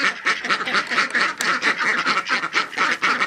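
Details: Domestic ducks penned in and wanting out, quacking angrily at a kitten that blocks their exit; loud, harsh quacks come in rapid, uneven bursts of about two per second, several birds overlapping, with a woman laughing nearby.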